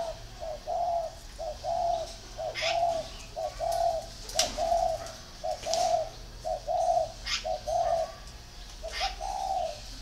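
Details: Spotted dove from a northern Vietnam dove-keeping garden near Ba Vì, Hanoi, cooing steadily: short paired lead notes then a longer throaty coo, phrases following closely one after another, with sharp clicks and faint background noise.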